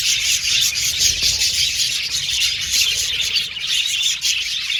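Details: Australian budgerigar colony in an aviary: loud, unbroken high chattering and chirping from numerous birds, pulsing slightly in volume.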